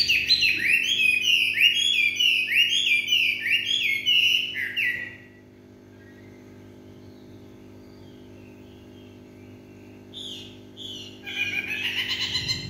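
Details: Chinese hwamei singing in the evening: loud, rich whistled phrases repeated rapidly, each note sliding downward with harmonics, for about five seconds, then near silence before a burst of varied warbling resumes near the end.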